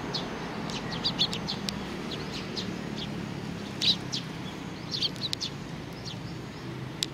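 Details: A sparrow family with a chick on 3 July 2019: bursts of rapid high chirping separated by quieter gaps, with a low hum underneath.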